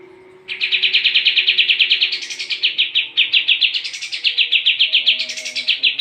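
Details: Actively singing sooty-headed bulbul, recorded as a tutor for champion contest birds: one unbroken run of quick, pulsing chatter, about eight notes a second, lifting into higher bright flourishes three times.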